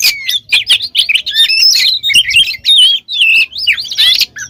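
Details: Oriental magpie-robin song meant to stir other birds to sing: a fast, dense jumble of whistles, chirps and mimicked phrases, loud and unbroken.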